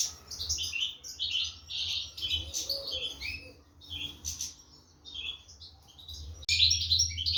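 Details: European goldfinch chicks fed by their parents in a breeding cage, 2023: dense, rapid high-pitched chirps and squeaks in overlapping bursts with short pauses, over a low steady hum.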